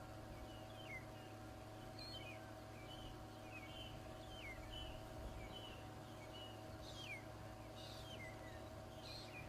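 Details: Chorus of many magpie shrikes at Djuma Game Reserve, South Africa, on a November 2011 morning game drive: repeated clear whistles and downslurred notes from several birds, set against a constant low rumble of an idling vehicle.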